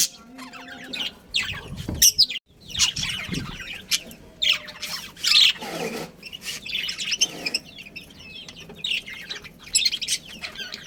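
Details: Budgerigar family with a breeding pair, chirping and chattering continuously at high pitch. Overlapping calls mix with a soft noisy background and a few louder, harsher notes.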